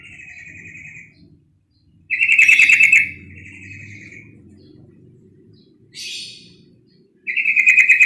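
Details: Female yellow-vented bulbul call used to excite males. Harsh, buzzy chattering bursts are repeated, each loud rattle trailing into softer chatter, with one brief rising rasp between them. A steady low rumble sits in the background.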